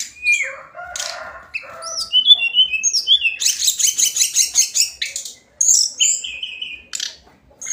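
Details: Tledekan Gunung (hill blue flycatcher) singing daily: varied whistles at different pitches, a long fast sequence of repeated chattering notes, then clear descending whistled phrases.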